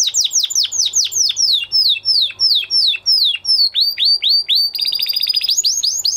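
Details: Canary in song after the moult, repeating sweeping downward-slurred notes in quick series of about four or five per second, then shifting to a faster, higher trill near the end.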